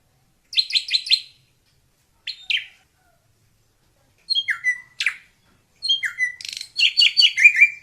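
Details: Wild drongo song made of short bursts of buzzy, scratchy chirps separated by pauses, mixed with downslurred whistles and a sharp rasping note, ending in a dense chattering phrase; no other sounds.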